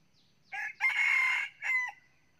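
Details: Forest-trained red junglefowl decoy rooster of nearly nine months with red plumage, said to crow almost nonstop and most in the morning. It gives one full crow: a clipped first syllable, a drawn-out loud middle, and a falling final note.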